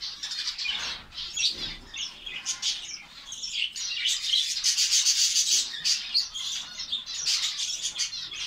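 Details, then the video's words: A finch colony kept in Saudi Arabia chatters constantly, its high, rapid chirps and trills piling into a bright, busy chorus that swells and fades in bursts, loudest near the middle, with faint rubbing sounds beneath. "fince birds colony ফিঞ্চ পাখির কলোনি সৌদি আরব"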